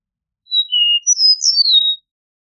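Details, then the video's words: Eastern meadowlark song: a series of clear, sweet whistled notes, first two level and slightly descending, then higher slurred notes sliding down to a final sustained whistle, against silence. "Eastern Meadowlark Song! Eastern Meadowlark Call! Sounds! - Pradero Oriental Canto - Sturnella Magna"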